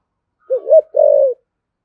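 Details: Spotted dove, 'thổ sấm' voice type, 'thúc gù' and calling coos: one clean low phrase, a rising-falling wavering note leading into a longer hoarse steady coo that drops at the end, in quiet surroundings.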